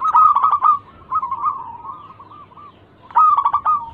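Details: Local zebra dove lure: a short burst of quick hooked coos, a softer drawn-out rolling phrase, then another quick burst after a near-silent gap.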